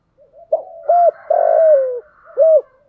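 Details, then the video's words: Spotted dove cooing as a decoy in the 'thổ sấm' voice style, meant to draw wild doves in rainy, windy weather: short arched hoots, then a long buzzy coo falling in pitch and a final clipped hoot. "Chim cu gáy cườm thúc gù bài bản, giọng gáy hay kích bổi hiệu quả mùa mưa gió"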